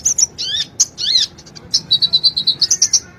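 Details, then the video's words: High-pitched sunbird song played to coax a reluctant bird into singing, with a few sweeping slurred notes followed by a fast, even series of sharp piercing chips. "Pancingan Ampuh,buat Kolibri yang malas bunyi"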